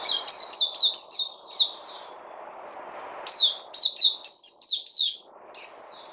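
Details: Puteh, a white-eye, recorded 29 August 2020, giving bright chirpy song: rapid series of high, sharply down-slurred whistled notes in two bursts, each about eight notes, separated by brief pauses, with soft background hiss.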